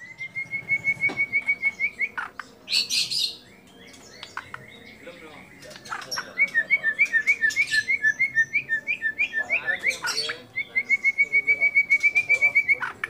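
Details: White-rumped shama song used as a training recording, carrying imitated calls of kapas tembak, cililin, lovebird and canary: long, even trains of rapid ticking whistled notes, broken by a harsh burst and a jumble of sharper chirps.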